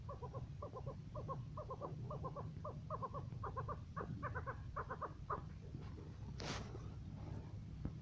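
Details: A first-cross Maskati chukar partridge gives a rapid series of clucking chuk notes, several per second, building in pace over about five seconds, with a low rumble of background noise throughout.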